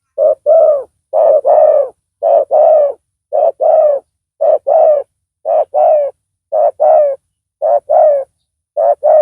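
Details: Loud-voiced spotted dove used in luring a rival with a decoy bird; deep, rounded coos grouped in pairs, a clipped note followed by a longer falling coo, repeated about once a second in a quiet setting.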